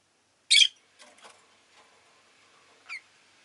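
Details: A single loud, harsh chirp from a rosy-faced lovebird, followed by faint rustling and a soft, short squeak.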